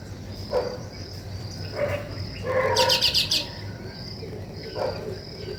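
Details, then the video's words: While weaver birds build their nest, one gives a fast, buzzy rattling run of about five notes. Scattered shorter chirps and sharp calls come before and after it. "Weaver Birds Building Nest"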